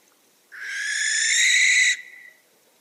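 A barn owl gives a single long, harsh, hissing screech lasting about a second and a half, then breaks off abruptly against a quiet background.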